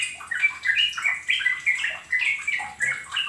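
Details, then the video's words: Sooty-headed bulbul singing, used as a lure to prompt other bulbuls to sing: loud, clear bubbling phrases of liquid whistled notes, each burst quickly rising and dropping, repeated about twice a second. "Pancingan trucukan agar ikut gacor dan ropel"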